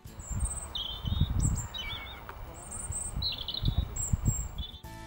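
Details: European robin singing outdoors in the UK in January 2021, thin, high, wavering phrases, each a second or so long, with brief pauses between them, over a low rumble of wind.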